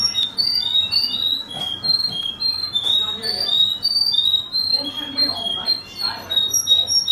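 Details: Russian canary from Kuwait singing a rapid, continuous run of high, clear whistled notes and short trills with a faint low background hum and rustling underneath.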